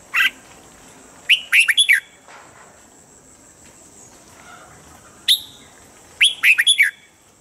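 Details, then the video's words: Red-whiskered bulbul song, the standard morning voice for training caged birds: loud clear whistled phrases of three or four rapid notes, separated by single call notes and long quiet gaps, with a constant background hum. "Luyện giọng chào mào âm chuẩn mỗi sáng giúp chim nhanh căng lửa"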